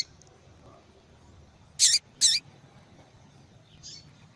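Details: Female double-collared seedeater calling, used to get males singing: two sharp high chips in quick succession, then a fainter note after a pause, against quiet low background noise.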